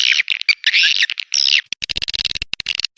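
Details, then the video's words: Swiftlet lure recording of colony mating calls: long rasping, buzzy chirps in the first half, then a quick patter of short dry clicks and ticks. "suara responya mantab memikat burung walet"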